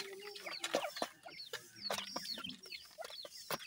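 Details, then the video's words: Grey francolin chicks at feeding time: scattered high, thin, downward-sliding cheeps from a few birds, separated by sharp clicks and soft rustling. "Francolin teetar bird feeding,Dakhni teetar chick's"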